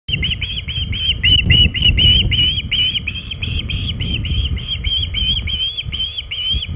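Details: Osprey at the Hog Island nest with a big shad, 27 August 2019, around 3:50 pm EDT: a fast, steady series of short whistled chirps, roughly four per second, over low rumbling wind or handling noise.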